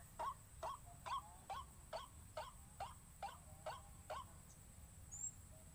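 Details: White-breasted waterhen call played as a lure: about ten short, rough notes at a rate of just over two per second, then the series stops, leaving faint low rumble.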